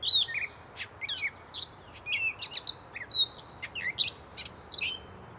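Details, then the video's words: A Gray Catbird sings a rambling run of varied squeaky, chattering and whistled notes, each phrase different, with brief pauses between them. "Gray Catbird Singing Away"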